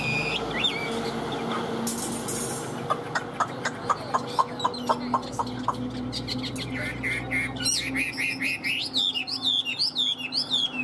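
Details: Caged Chinese hwamei in Vietnam: a series of dry clicking ticks about twice a second, then quick twittering whistles and slurred notes building toward the end, with steady low hum underneath.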